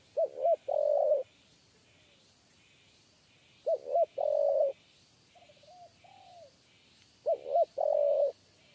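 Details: Spotted dove (Spilopelia chinensis) giving a low, mellow three-part coo, two short notes then a longer drawn-out one, repeated about every three and a half seconds over faint insect hiss.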